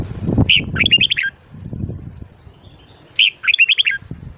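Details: Red-whiskered bulbul in morning song for voice training: two matching phrases, each a loud whistled note followed by a rapid chattering trill, separated by about two seconds, with low background noise.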